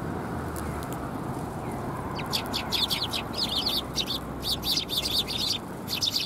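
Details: Several sparrows at a Tenmangu shrine, recorded on 13 December 2021, give quick bright chirps in dense overlapping runs through the second half, over a steady low rumble of background noise.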